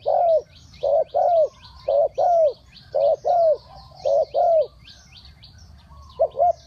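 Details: Low mellow spotted dove coos in the three-kuk-hoi pattern, paired notes repeated about once a second, with faint high chirps from other birds throughout.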